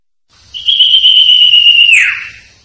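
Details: Sertu song of a Common Iora (cipoh), used as master song for training birds: a loud, clear, sustained whistle lasting over a second, then dropping steeply into a brief downward sweep. Very little background.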